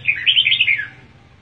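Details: Red-whiskered bulbul song as two birds greet each other: a single bright, rapid warble of five or six looping whistled notes lasting under a second, followed by quiet with a faint low hum.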